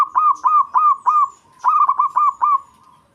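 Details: Local Javanese zebra dove singing vigorously in breeding mood, used to provoke a rival: fast runs of soft, mid-pitched arched coo notes, about eight in quick succession, broken by a short pause, with no other sounds.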